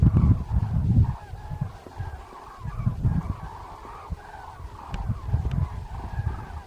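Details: Cranes calling on autumn departure over the Svislach river floodplain, 29 September 2018: many overlapping trumpeting calls at a fairly steady pitch, repeated throughout and partly masked by strong low wind rumble.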